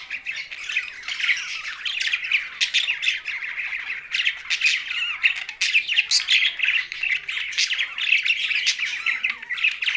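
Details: Several budgerigars sharing space with a parrot in Larkana, Sindh, giving a steady, dense chatter of scratchy chirps, warbles and short squawky notes without a break.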